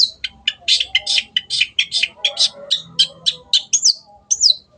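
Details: Long-tailed shrike singing a quick series of clipped, scratchy high notes about three per second, ending with two brief squeaky up-and-down slurs.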